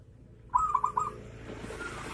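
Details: Zebra dove singing in the kerot style, a song meant to prompt other less-aroused doves to start singing; four short, clipped cooing notes in quick succession, then quiet background hiss.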